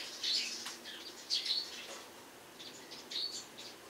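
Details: Eurasian tree sparrow chirping on a rooftop in the morning: three clusters of bright, high, slightly buzzy chirps separated by short pauses.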